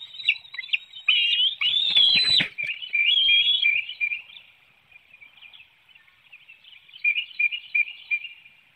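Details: Hanover, Pennsylvania bald eagle nest, 9 June 2019 early morning, adult feeding an eaglet a small fish as another flaps about; shrill looping whistles and a rustling flap-like noise, then fading soft high twitters.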